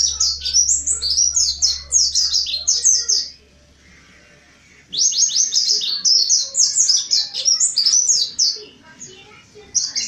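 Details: Mountain white-eye singing continuously, meant to prompt other birds to sing: long runs of high, rapid, falling chirps in two bursts with a silent gap near four seconds, a low hum early on.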